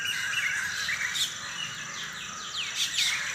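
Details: Birds around 5 AM in the early morning, unedited: sharp high chirps and quick descending twitters come in bursts near the start and end, over a thick backdrop of other birds and a steady high hiss.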